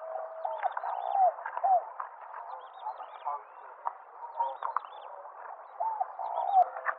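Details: Wild spotted dove at Mai Po Nature Reserve, Hong Kong, February 1999. Two short runs of soft, low, arched cooing notes, a few seconds apart, over a steady backdrop of busy chirps and twitters from other birds.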